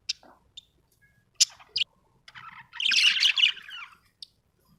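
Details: Happy budgerigar giving scattered single high chirps, then a dense, scratchy warbling burst lasting about a second before one last squeak.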